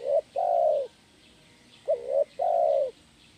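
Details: Spotted dove singing the kuk 1 style of song, used for training birds: two cooing phrases, each a short hollow note followed by a longer, steady, mellow coo, separated by a second of quiet background hiss.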